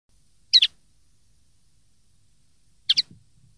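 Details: Common linnet song for tutoring young birds, a 2013 recording: two short twittering double notes about two seconds apart, quiet between them, with faint low rumble.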